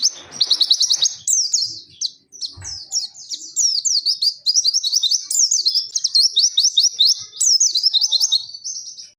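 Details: Dakun white-eye of Pacitan in zipper witwit and nembak mantenan style: high, rapid, buzzy trills opening into long bursts of chirped slurs, separated by short gaps, with a faint knock near two and a half seconds.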